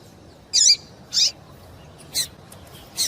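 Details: Female double-collared seedeater calling to stir a male into song: four loud, high chirps, the first with a downward-curving tail, spaced roughly half a second to a second apart.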